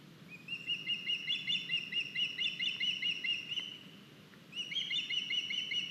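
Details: Young osprey in Estonia, 9 August, bringing a nice big fish to the nest: high, rhythmic whistled chirps repeated about twice per second in a long run, a short pause, then the series resumes.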